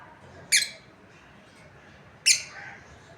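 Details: Breeding pair of lovebirds; two short, shrill, harsh chirps about 1.7 seconds apart over a quiet background hiss.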